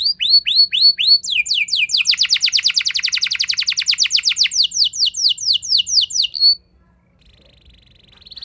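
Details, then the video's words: Canary rolling song meant to provoke other canaries into song: a few hooked whistled notes, then a long fast trill of falling notes, slower slurs, and quiet with a faint thin buzz at the end. "Pancingan Burung Kenari Ngeroll Mewah! Bikin Emosi Kenari Lain Auto Terpancing Jadi Gacor"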